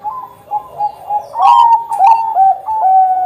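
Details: Bangkok zebra dove singing repeated coos that step up and down in short joined phrases, a lure recording meant to get other doves to sing sooner.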